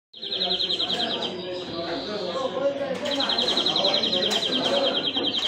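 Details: European greenfinch singing: a fast, rolling trill of bright repeated notes lasting over a second, a pause, then a longer trill of about two and a half seconds, over a steady murmur of people talking.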